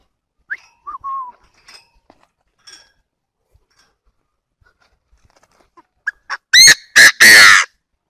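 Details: Trapping decoy call of a Chinese francolin: scattered quiet ticks and short notes, then a burst of three loud, harsh, grating notes in rapid sequence near the end.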